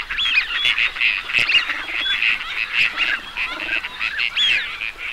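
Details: A gathering of teal calling at once, producing a thick wall of nasal honks and short squeaky whistles that barely pauses.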